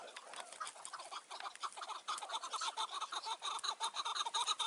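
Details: Mountain chukar at dusk in June 2018, during trapping with a decoy partridge. Coarse clucks run together at first, then settle into a strong, regular chuck-chuck rhythm of about two notes per second.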